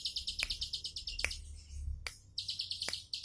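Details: Bar-winged prinia giving rapid pulsed high buzzy notes, interrupted by loud sharp clicks roughly every second.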